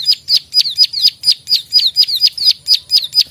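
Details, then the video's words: Close, strong klik-klik calls of a plain prinia, a feisty, vocal bird: about a dozen crisp, high, down-flicking clicks, evenly spaced over a few seconds. "prenjak klik gacor fighter narung"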